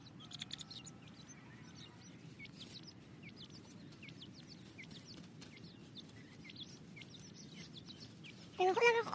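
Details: Dense chorus of shrill peeping from captive grey francolin chicks being hand-tamed, many overlapping short slurred notes, ending with a sudden louder, lower harsh call in the final second.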